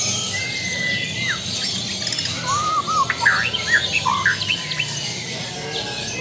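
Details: White-rumped shama of the Lampung type sings scattered clear whistles, a long sliding note, then quick looping, varied phrases in the middle, over a steady loud hiss of background noise.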